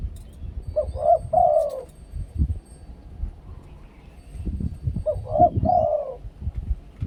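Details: Decoy spotted dove in Thailand cooing its "2 kuk khu-ang" phrase twice, about four seconds apart: a brief low note, a rounded coo, then a longer throaty coo, with low background rumble between.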